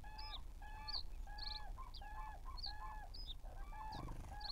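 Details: A large group of common cranes at a lake, captured by a lake camera on 8 May 2023: loud, harmonic trumpeting calls repeated about every half second. Thin high songbird whistles and a low background rumble continue throughout.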